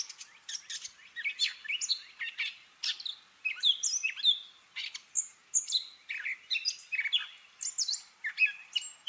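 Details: Gray catbird singing while mimicking other birds: a rambling, varied string of squeaky whistles, chirps and harsh notes, each phrase different, jumbled rapidly over nine seconds with brief gaps.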